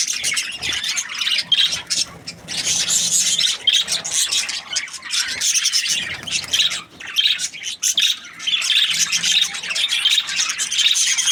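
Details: Budgerigar chatter described as happy: steady rapid warbling with squeaks, clicks and short whistled notes running without pause, a busy high-pitched babble that swells and dips in loudness.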